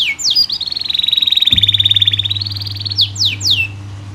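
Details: Canary song used to coax other canaries into singing: a long, very rapid buzzing trill held at high pitch, ending in several sharp downward-swooping whistles, over a faint low hum.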